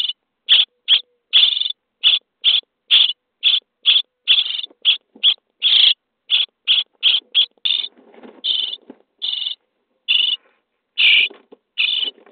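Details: Nestling common starlings being fed inside a nest box on day 23: quick series of short, grating begging rasps, several chicks calling, with a softer rustling scratchy patch in the middle.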